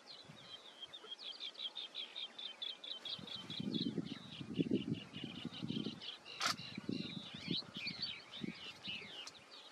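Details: Tiny, camouflaged Chestnut-bellied sandgrouse (Pterocles exustus) chicks with their father, near Bhigwan Kumbhargaon Bird Sanctuary, Pune, Maharashtra, 13 June 2022, keep up a busy stream of thin, high chirps, several each second, with low rumbling noise midway.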